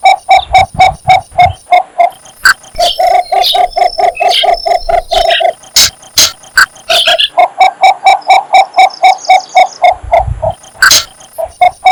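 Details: Cinnamon bittern mating call: long, fast strings of short, deep clucking notes, about four per second, in two main bursts; other birds' high twittering and sharp clicks are mixed in throughout.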